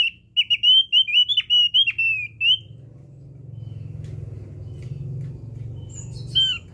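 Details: Javan grey-throated white-eye used as a lure: a quick run of high, thin whistled notes for about two and a half seconds, then a steady low rumbling hum with one more brief whistle near the end.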